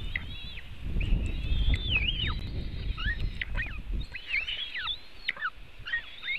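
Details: Eaglets of the White-tailed eagle fed at a Latvian nest, webcam, June 2018 afternoon: rapid high whistled notes, many curving up then sharply down, in quick succession, over a strong low rumbling noise early on.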